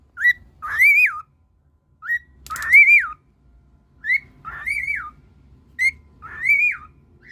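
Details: A cockatiel (Nymphicus hollandicus) gives clear whistled calls, each a short note followed by a rising-then-falling arched whistle.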